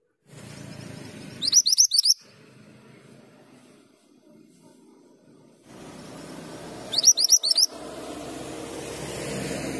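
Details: Male Mantenan gunung singing actively: two short bursts of high, rapid chirping notes about five seconds apart, set against a low rumbling background hum.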